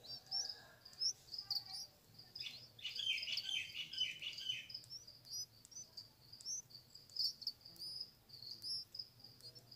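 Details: Red-vented bulbul feeding an oversized grasshopper to its chick: short, high chirps repeated irregularly, with a brief run of busier, lower chattering notes early on, over a faint insect-like background hiss.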